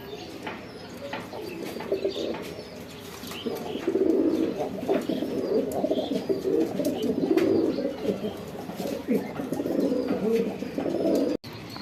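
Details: Several domestic pigeons being paired up at a home coo together in low, throaty, rolling phrases that overlap one another.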